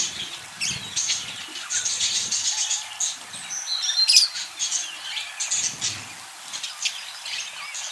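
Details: Budgerigars kept in a cage give a continuous high twittering chorus of squeaky chirps and warbles. A brief whistled note stands out near the middle, with soft fluttering and rustling in the background.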